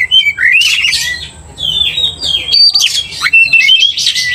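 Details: Oriental magpie-robin in vigorous full song, used to provoke other magpie-robins into agitation: varied loud whistles, rising and falling slurred notes and harsh buzzy bursts, delivered in quick phrases with brief pauses.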